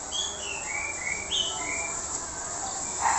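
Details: Orange-headed thrush with a rough-voiced song: a series of clear whistled, slurred notes, some rising and some falling, given one after another over a steady background hiss.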